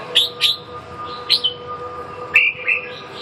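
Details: Sizing up a rival, a red-whiskered bulbul gives a few spaced, clear whistled notes: two quick bright chirps, another a second later, then a falling pair near the end, with a soft hum behind.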